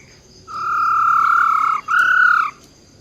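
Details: Female silver-eared laughingthrush giving wild-type forest song, used to rouse males quickly: two long, clear whistled notes, the first steady for over a second, the second brief and slightly higher, over faint background hiss.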